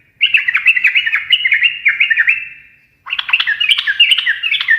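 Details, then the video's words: A sooty-headed bulbul sings gacor ngekek garuda to get other birds answering: a steady line of bubbling, wavering notes for about three seconds, a short gap, then a second livelier burst. "kicau suara trucukan gacor ngekek garuda menjadikan burung nyaut seketika"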